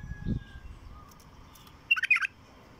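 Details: Wild bulbul giving a single brief, bubbly phrase of quick warbled notes near the end, after a low thump at the start; quiet background otherwise.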